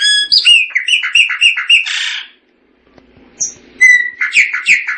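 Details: Chopi blackbird (Gnorimopsar chopi) singing: a fast run of loud, liquid, whistled and chirping notes rich in overtones, then a brief silent pause, then a second burst of similar clear, rising and falling notes.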